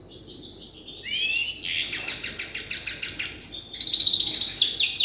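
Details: Young European goldfinch hybrid still memorising its song, taught by an older hybrid: bright high twittering with rapid buzzy repeated trills that rise in loudness, ending in a dense, sharp chatter.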